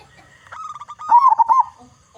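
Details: Single loud phrase from a local zebra dove used as a singing lure for other zebra doves: a held coo sliding into a quick, bubbling series of rolling notes.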